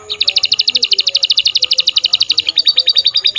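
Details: Canary delivering a long, very fast trill of bright chirps, many per second, shifting midway to a slightly different repeated note; faint music in the background.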